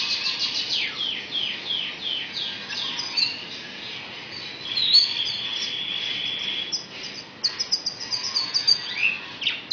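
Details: Mimicking magpie-robin and canary, an Asian pied starling from Indonesia opens with a rapid series of descending chirps, then a long steady high whistle, followed by clipped notes and quick twittering.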